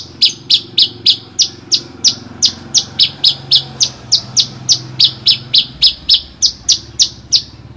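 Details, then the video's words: Horsfield's bush lark singing, rich song material meant for tutoring other songbirds: a fast, steady series of short high chirps with sliding notes, about three to four per second, over a faint low hum. "branjangan materi mewah cocok buat masteran"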